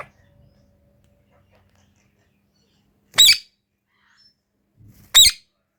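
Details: An Indian ringneck parrot talking to its reflection in a mirror gives two brief, harsh, high-pitched utterances about two seconds apart in a quiet room.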